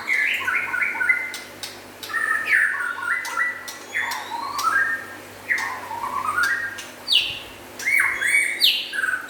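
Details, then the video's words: Local and forest-imported White-rumped shamas in lively song: repeated phrases of descending whistles every second or so, mixed with sharp clicks, then higher rising whistles near the end over a low hum. "Meriah nya Suara Murai Batu LOKAL Dan Hutan IMFORT"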